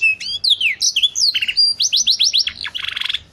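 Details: Canary delivering a quick run of high whistled notes, then a series of about eight repeated falling slurs, ending in a fast buzzy trill.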